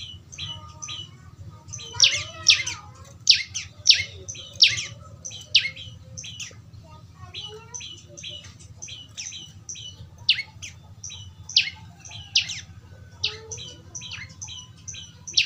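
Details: Young prenjak lumut prinia recorded as training audio: a busy, rapid series of high chirps and buzzy notes, some in dense bursts, with a few lower squeaky notes mixed in and a quiet low hum.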